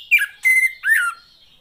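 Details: Captive female Oriental magpie-robin, calling to provoke silent males to sing: three clear notes, a falling whistle, a flat drawn-out whistle and a slurred downward note, each about a third of a second, then quiet.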